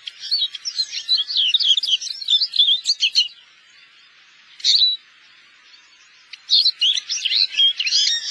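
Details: Eurasian siskin, winter visitor in Korea, delivering fast, varied high twittering phrases with quick trills, a pause with a single chirp, then another lively twittering burst.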